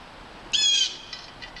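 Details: Red-tailed hawk near Halcyon Pond on Saturday, March 21, 2015, giving a single hoarse, high scream, held briefly with a slight downward slur, then faint echoes in an otherwise quiet outdoor setting.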